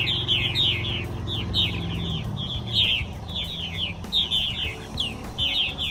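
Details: Purple martins at Governor Bond Lake, where they nest in a gourd house, chatter in rapid, gurgling, downslurred bursts, several birds overlapping, over a low rumble and some background noise.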